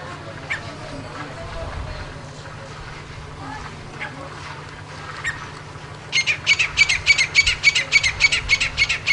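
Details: Grey francolin in the wild calling for a female: after several seconds of quiet background hum and faint chirps, it bursts into a loud, harsh, rapidly repeated run of shrill notes.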